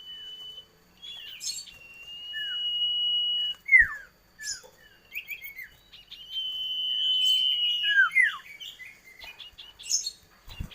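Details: Common iora song with long, steady drawn whistles broken by clusters of falling slurred notes and sharp chirps, the pattern repeating twice.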